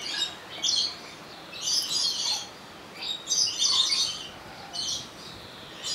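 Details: Opole Zoo rainbow lorikeet, recorded via Sony HDR-XR160E: strident, buzzy squawking in five or so clustered bursts, the middle ones longest and most intense.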